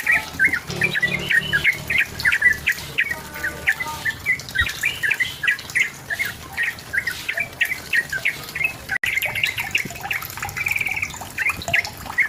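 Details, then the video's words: Sooty-headed bulbul song for luring a rival into song: a long sequence of short bubbly whistled phrases repeating steadily, with a faint buzzy note near the end and low background hum. "SUARA BURUNG TRUCUKAN GACOR MENEKAN LAWAN UNTUK BUNYI PANCINGAN TRUCUKAN AGAR BUNYI"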